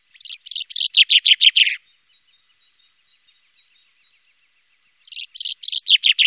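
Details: Common chaffinch singing in the Wittlicher Tal in 2018: two bright phrases of quick notes, each falling in pitch from high to lower, separated by about three seconds of near silence.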